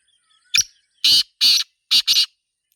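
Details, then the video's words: Black francolin (Sindhi teetar) calling in the wild in a natural setting: one short harsh note, then four loud, rasping, grating bursts in quick succession, the last two close together, over near silence. "Amazing Sindhi Teetar Sound 2026 | Black Francolin Calling in Nature"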